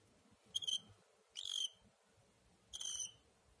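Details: Pet cockatiel calling three times with clear, slightly buzzy chirps, each a little drawn out, spaced roughly a second apart, above a faint low-pitched background hum.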